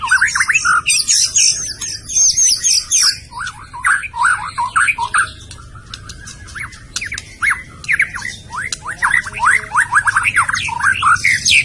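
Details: Murai batu, white-rumped shama from Medan, with an energetic song of high fast notes followed by repeated loud whistled phrases, rapid slurs and clicks, continuing in bursts across the recording.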